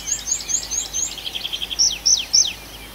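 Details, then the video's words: Night forest birdsong, Arkhangelsk region, June: a run of high, thin chirps, then several sharp downward-sweeping whistles repeated about every quarter second, with faint lower twittering between. "Пение птиц в ночном лесу"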